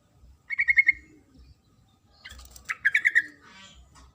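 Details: Female sooty-headed bulbul calling to the male: two bright chattering bursts of rapid, evenly spaced notes, the second burst slightly longer, separated by a short pause.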